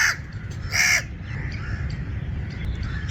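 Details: Crow coughing call: a single short, harsh, hoarse burst near the start, then quieter faint distant notes over a constant low background rumble.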